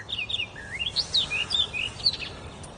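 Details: Bird singing a great deal in the forest: varied whistled phrases with upward-sweeping slurs, downslurs and sharp chirps, delivered almost without pause against a faint low hiss.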